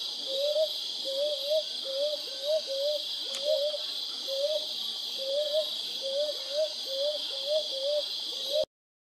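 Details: Brown hawk owl (kuuk) calling a long even run of paired rising hoots, each pair roughly every half second to a second, over steady high-pitched background hiss, ending abruptly.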